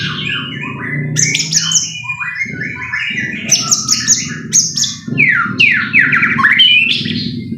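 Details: White-rumped shama song used to provoke a bird into singing: rapid stuttering high notes and repeated downward-sweeping whistles in quick series, over a steady low hum.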